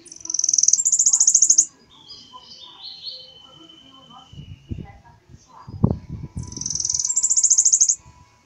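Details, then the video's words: Bananaquit singing a different song variant: two loud, dense, high buzzy bursts at start and end, with a thin sustained whistle between them and a few low thumps or knocks near the middle. "sibite cantando diferente"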